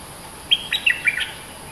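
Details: A single brisk phrase from a bulbul, billed as a fierce local master bird with long songs: four or five clear, slurred whistled notes in under a second, against a quiet background.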